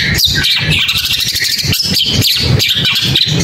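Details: Long-tailed shrike song as a dense, continuous run of high chattering and twittering notes, some sliding up and down, over a low hum.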